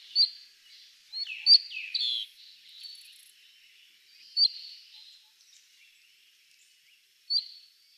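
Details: Cinnamon-chested bee-eaters in highland forest, Aberdare National Park, Kenya: sharp high chips and short downslurred buzzy notes, a cluster near the start then isolated single chips at irregular intervals, steady high background hiss.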